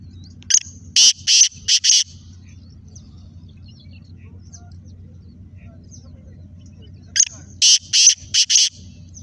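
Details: Black francolin (Kala Teetar) giving a loud, rasping call phrase of five or six sharp, scratchy notes, then silence, then the same choppy phrase again about seven seconds later, with a constant low droning hum beneath.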